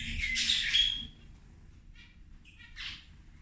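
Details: Zebra finches at a meal: a loud burst of nasal honking calls and a bright squeak at the start, then a pause, then a few softer buzzy chirps near the end.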